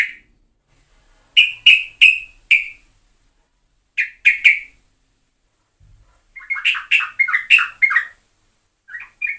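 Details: Sooty-headed bulbul song used as a lure: a few loud bright whistled notes, a pause, three more, then a fast jumbled run of rising and falling chirpy whistles, in clean quiet surroundings.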